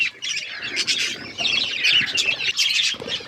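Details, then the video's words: Budgies feeding on seeds fill the air with busy, overlapping chirps and scratchy warbles, a steady chattering flock with no pauses. "Birds eating seeds budgies chirping sounds"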